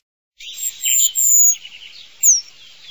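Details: Eurasian penduline tit singing: thin, high whistled notes and soft twittering, with a sharp descending whistle near the end. No other clear sounds.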